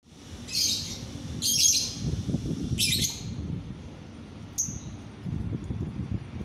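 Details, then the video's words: Lovebird masteran (training song) recorded at midday: four harsh, shrill chirps spaced about a second apart, the last one short and sharp, over a steady low rumble of background noise. "Masteran lovebird siang hari"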